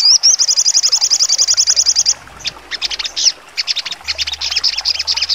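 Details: Trotol song of a sogon songbird, sharp and shrill, used to train contest birds: a fast, even high trill runs for two seconds, then pauses before scattered bursts of staccato chirps.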